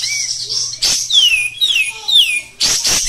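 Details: Caged Oriental white-eye singing thin, high whistled slurs that glide downward, about three in a row, broken by two harsh rasping bursts over a steady hiss.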